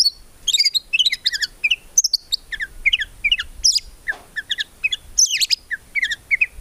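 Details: White-rumped shama singing gacor with rich isian and tembakan phrases, free of ngukluk notes, recorded to train songbirds: a varied jumble of quick high chirps, slurs and twitters with short breaks, over faint low background hum.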